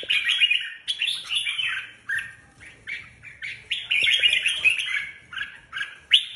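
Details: Red-whiskered bulbuls, caged competition birds being readied for a contest, in a lively run of warbled, chattering phrases between roughly one and four kilohertz. Short bursts come in quick succession with brief pauses, and a faint high hiss runs above.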